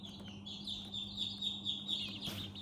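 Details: Young chicks peeping in their house: steady high chirps from a group, fairly soft, over a persistent low hum and a brief rustle near the end.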